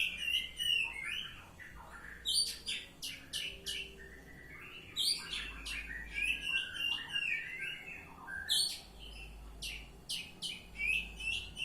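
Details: Sustained ngeplong song from an Oriental magpie-robin: repeated loud bursts of piercing high notes alternating with lower fluid warbled whistles, nearly continuous for over ten seconds, with a low rumble in the background.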